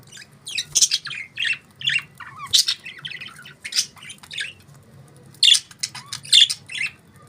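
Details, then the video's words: Chattering budgerigars giving scattered squeaky chirps and warbles, with two loud, harsh squawks standing out near the end. "Budgies Beautiful Chirping Sounds"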